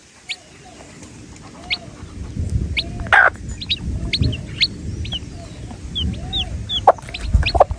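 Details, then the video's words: Baby chicks chirping: sparse bright peeps, some sliding upward and others downward, spread through the clip over a muffled low background, with a short noisy burst early on. "The Chicks Peep Sound"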